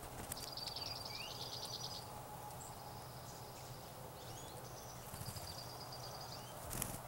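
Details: Juncos with other birds coping with a mid-April snowstorm: high, rapid buzzy trills of evenly spaced notes, two bursts, mixed with scattered sharp chirps and short slurred notes, over a steady low rumble and background hiss.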